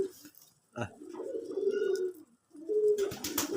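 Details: Native (deshi) pigeon giving low, drawn-out cooing, one long purring coo followed by a shorter one after a brief pause, with clattering noises at the end.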